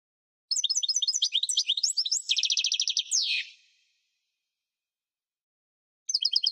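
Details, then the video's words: Singing European goldfinch delivering a rapid string of tinkling, bouncing notes, a fast rattling trill and a rasping falling buzz, then silence before the bright repeated notes resume. "اجسن تغريد الحسون"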